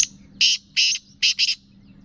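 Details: Black francolin hen giving her call, said to rouse males: four harsh, rasping notes close together, the last two nearly joined, over a faint steady low hum.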